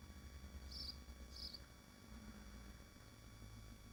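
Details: Nesting swifts at a nest site in Machynlleth, Wales, in the Dyfi Biosphere, give two short, high, buzzy screech bursts about half a second apart over a steady low hum.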